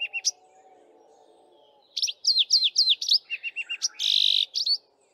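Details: Canary-like song of a male Streaky-headed Seedeater perched atop a bush at dawn chorus, during female nest building: brief opening notes, a pause, then rapid slurred whistles, low chips and a harsh buzzy trill.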